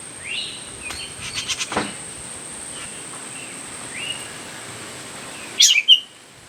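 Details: Myzomela recorded December 25, 2022, giving faint, short, high chirps spaced a second or so apart, then louder sharp notes near the end, against a constant high-pitched insect drone.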